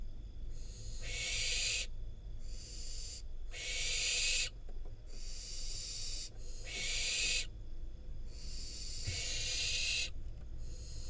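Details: Wild barn owl fledgling in Israel receiving and eating a rodent from its parents; a long series of harsh hissing screeches, each about a second, repeated steadily with brief silences.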